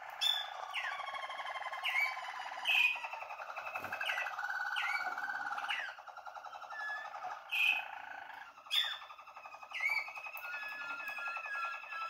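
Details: Waterslager canary, a young bird of 2020, recorded January 2021 indoors, delivering long bubbling rolled tours in a low register with sharp rising whistles and short pauses between phrases.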